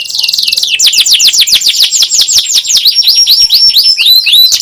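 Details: Singing canary recorded as a training lure for young canaries: a rapid high trill opens into a long series of loud descending sweeps, about two per second, ending in quicker looping notes.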